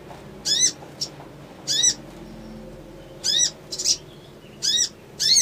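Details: Crimson sunbird song intended to provoke an emotional response: strident, harsh chips roughly every one to one and a half seconds, with softer short notes in between.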